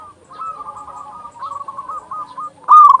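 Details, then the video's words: A local zebra dove's master song, meant to raise other doves' breeding drive and get them singing. Soft drawn-out cooing runs through most of the clip, then one loud stuttering coo burst closes it. "Perkutut lokal gacor suara besar Masteran burung perkutut agar cepat bunyi"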